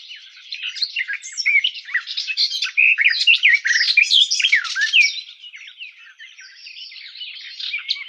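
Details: Garden warbler (Sylvia borin) delivering a hurried, jumbled warble of rolling, chattering notes, loudest in the middle and fading to a softer, thinner twitter in the last seconds.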